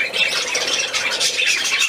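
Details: Playing budgerigars, recorded 13 December 2019: nearly two seconds of constant shrill chirping and grating squawks from the flock.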